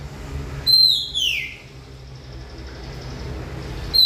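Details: Oriental magpie-robin giving a brief pair of clear, high whistled notes that slide steeply downward, then a long pause with low background hum.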